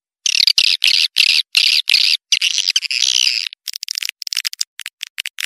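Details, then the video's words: Swiftlet calls played to attract swiftlets: buzzy, harsh chirps in a fast run of about three per second that merge into a longer rasping stretch, then give way to quicker, clipped bursts. "suara burung walet panggil burung walet"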